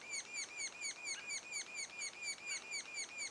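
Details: Sapsucker nestlings calling at the nest two days before first fledging: a steady stream of high, harmonic, slightly down-slurred notes, about two per second, quiet against background hiss.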